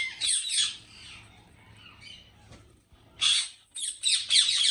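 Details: Captive ringneck parrots at a Pakistani breeding farm: a loud burst of shrill, grating screeches, a quiet lull of about two seconds, then more rapid overlapping squawks with a steady low hum.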